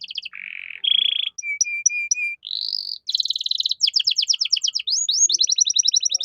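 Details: Gacor canary with cengkok mewah phrasing, used as a master song for training songbirds: a varied string of buzzy tours, short repeated whistles, a rattling roll and rapid two-tone trills, loud and clean.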